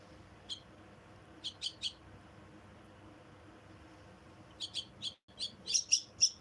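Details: Myna chicks being fed give sharp, high, rasping chirps in quick bursts of two or three, pausing between bursts, over a faint low hum.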